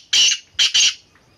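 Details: Black francolin giving a harsh, grating call of three rasping bursts, a long first note then a quick pair, loud and close against a quiet background.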